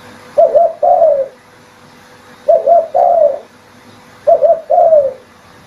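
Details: Spotted dove recording played as a lure for trapping: three cooing phrases about two seconds apart, each a short wavering coo followed by a longer falling coo, with quiet pauses between.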